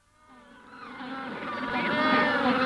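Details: Adult Magellanic penguins calling close up at the hatching stage, Punta Tombo, with the general colony in the distance; layered harmonic braying notes fade in and swell steadily louder over the whole stretch.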